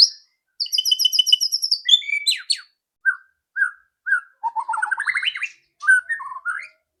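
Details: White-rumped shama singing a loud ketrekan lure song meant to spur other shamas to sing: a buzzy high trill, then varied whistles and short separate phrases, closing with a rising, chattering run.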